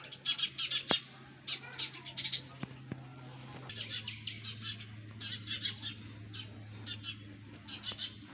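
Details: Baby sparrows in a nest beg in rapid bursts of high, harsh chirps, clustered in runs of several notes over about eight seconds, with a low steady hum behind.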